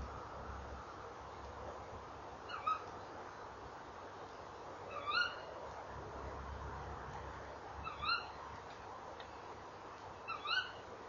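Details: Tawny owls calling near a nest box at about 19:22 on 28 November 2013, the female perched by the box: a faint first call, then three louder sharp upward-inflected calls every two to three seconds.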